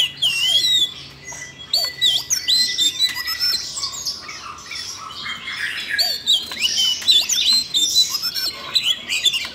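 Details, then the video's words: Siberian rubythroat prompted to sing by training playback, giving rapid high-pitched chattering song of looping whistles and chips, loud at first and continuing in quick phrases throughout. "Luyện giọng cho chú than con ko ngờ làm chú oanh cổ đỏ nổi hứng hót chuyện"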